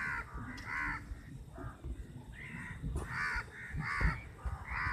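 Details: About fifty crows fighting over a piece of chapati; raspy caws repeated roughly once a second from several birds, with a constant low background rumble.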